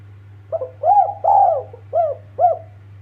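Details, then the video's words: Spotted dove calling to companions: a series of five soft, mellow coos, each a short rising-then-falling hooted note, spaced roughly half a second apart, over a steady low electrical hum. "BURUNG TEKUKUR KUK 2 MASTERAN AMPUH MEMANGGIL TEMAN"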